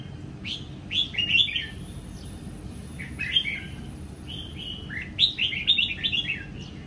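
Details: On a morning in April 2022 a red-whiskered bulbul from Sông Kon, caged and freshly moulted, sings ché-style while sunning in Vietnam. Clear whistled, slurred phrases come in three separate bursts, with quiet gaps and a steady low rumble between them.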